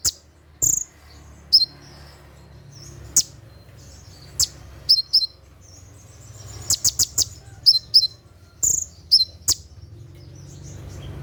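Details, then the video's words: At night, an olive-backed sunbird (konin) delivers 'tembakan' song meant for mastering caged birds: piercing high chips and downslurred whistles scattered across the clip, bunching into a quick cluster of notes midway. "SUARA TEMBAKAN KONIN SAAT DIMALAM HARI"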